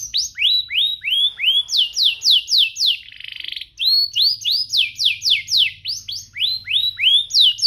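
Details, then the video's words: Canary singing as a lure for other canaries: long series of rising and falling whistled sweeps about four per second, broken midway by a brief buzzy trill, with a faint low hum. "Pancingan ini Berhasil pancing kenari manapun jadi ikut GACOR, Pancingan kenari biar gacor"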